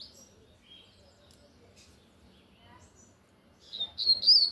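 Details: After quiet faint chirps, a lined seedeater sings loudly in Tui Tui style, a short, bright flurry of high whistles at the very end.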